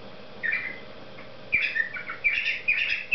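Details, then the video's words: Cockatiel singing its little songs: a short chirpy whistle, a pause, then a run of bright warbled and whistled notes rising and falling, ending in quick repeated chirps; indoor room with faint background hum. "Попугай Корелла песенки поет Parrot Sings"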